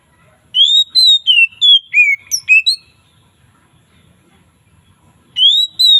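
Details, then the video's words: Relaxed, loud ngeplong song variations from an Oriental magpie-robin in the afternoon: about two seconds of clear, rising and falling whistled notes, a long silence, then the whistling begins again. "SUARA KACER NGEPLONG SANTAI|VARIASI DI SORE HARI"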